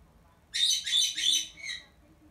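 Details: A captive black-headed caique gives a contact call, calling its owner while she washes its cage. It is three harsh, shrill, raspy high-pitched squawks in quick succession, then a shorter, fainter one.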